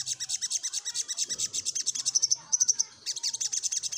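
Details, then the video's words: Little spiderhunter singing in an energetic 'nyecrett ngeroll' style while seeking a rival: rapid, high, dry chattering notes packed at about two per second, with a brief thin whistled trill midway before the chatter resumes. "Suara SogokOntong Gacor Nyecrett Ngeroll Mencari Lawan"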